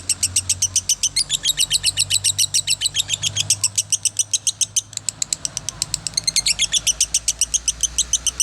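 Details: A lovebird keeps up a long rapid stream of shrill chirps, about four a second, with a short break near the middle before continuing, low hum behind.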